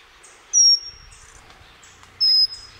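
Pygmy wren-babbler giving two very high, thin, slightly falling whistles, about a second and a half apart, over a faint low background hum.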